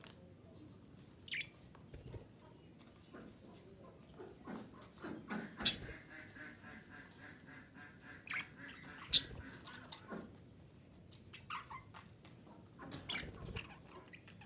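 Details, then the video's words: Female budgerigar calls used to stimulate breeding: sparse bursts of buzzy warbling and sharp clicks separated by quiet pauses, with two loud squeaks. "DİŞİ Muhabbet Kuşu Sesi - Muhabbet Kuşu Kızıştırma"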